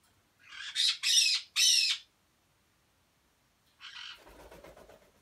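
Grey parrot giving three loud, harsh, rasping squawks in quick succession, then a softer squawk that fades into a low, gravelly grumble.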